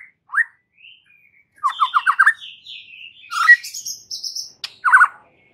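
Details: White-rumped shama in full song, played to provoke rival males into singing: scattered varied phrases of clear whistles, quick stuttered note groups and short buzzy bursts separated by silences.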